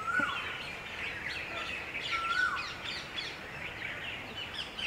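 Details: Summer heat brings a red-vented bulbul flock to a water puddle to bathe and drink; a level whistle with a falling tail sounds twice, about two seconds apart, amid scattered chirps and twitters.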